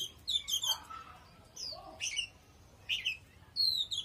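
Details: Oriental magpie-robin in strong song, giving separate clear whistled phrases, some sliding down and others with short rising flourishes, spaced by brief pauses.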